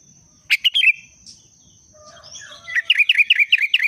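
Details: Sooty-headed bulbul in breeding condition, 'pendongkrak' booster song: a brisk bubbly phrase of three or four notes, a pause, then a rapid run of about eight repeated rising-falling whistles, with a steady high hum behind.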